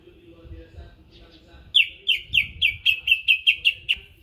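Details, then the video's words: Caged greater green leafbird from Berau, being prepared for a singing contest, delivers a fast run of about ten loud, sharp, downslurred whistled notes after a quiet start with faint background chatter. "Cucak Ijo Berau 'MAJO' persiapan gantang"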